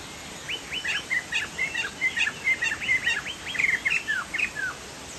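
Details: Chinese hwamei, locally called poksay jambul sumatra, singing vigorously: a fast run of clear whistled notes, many sliding downward, repeated roughly twice per second over a faint steady hiss.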